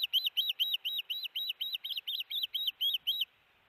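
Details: At the Hellgate osprey nest on June 13, 2018, late afternoon, an osprey arrives with a big fish. A quick run of about thirteen sharp, upslurred-then-falling whistled notes ends abruptly, followed by near silence.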